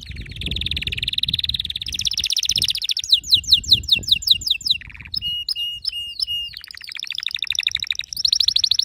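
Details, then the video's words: Canary in loud, varied song: rapid buzzy rolling trills alternate with bursts of sharp swept whistles and a stuttering series of clipped notes, delivered almost without pause. "صوت كناري يخلي الكناري الصامت يكسر القفص"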